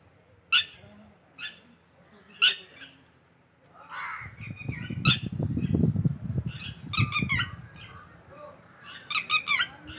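Red-wattled lapwing giving loud, harsh, piercing squawks, single notes at first and then quick stuttering bursts, over a low murmur of voices.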